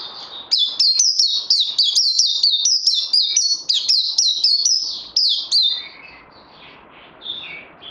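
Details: Training white-eye, recorded 18 May 2020, pouring out a fast, loud run of high slurred whistles, roughly three a second for five seconds, then trailing into soft, lower twittering.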